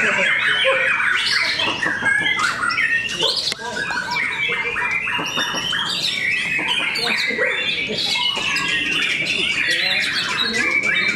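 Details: Competing white-rumped shamas at a Cikeas, Indonesia, bird contest fill the air with continuous mixed whistles, trills and rasping chatters from several birds at once, with background talk.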